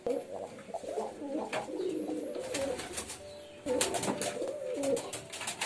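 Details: Pigeons cooing amid bursts of clattering and rustling noise, the low rolling coos running beneath the scuffling sounds.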